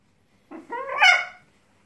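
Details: Green-winged macaw drying off in towels after a shower, one loud harsh squawk under a second long that rises in pitch and grows louder before cutting off, in a quiet room.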